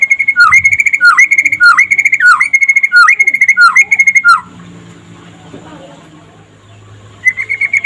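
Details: White-rumped shama of the trotol type singing during the day, played to spur other shamas into song: a loud run of repeated whistled phrases, each a steady high note dropping into a hooked dip, about six times, then near silence before a trill resumes.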